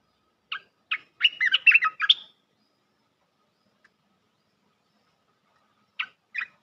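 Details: Luring call of a bulbul for trapping, crisp and close: two short introductory notes, then a rapid bubbling run of warbled, slurred notes, long silence, and two more short chirps near the end.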